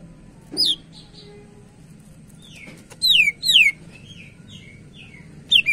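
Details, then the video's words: Song of a greater green leafbird kept to lure or train other birds: sharp downslurred whistles, a quick series of falling notes and soft trailing chips spaced across several seconds over a low steady hum. "Burung Cak Ijo Gacor cocok buat pancingan"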